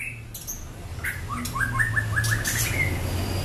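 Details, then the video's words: Long-tailed, black-legged Bahorok white-rumped shama in captivity: a quick series of short, downward-slurred whistled notes repeated about three per second, preceded by a few higher chirps, with a constant low hum underneath. "MURAI BAHOROK KAKI HITAM EKOR PANJANG, FIGHTER & GACOR."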